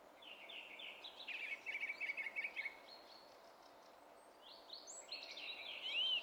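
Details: Spring song of a song thrush, 27 April 2016: thin descending notes, a rapid series of repeated chirps, then higher whistles and a loud looping final note.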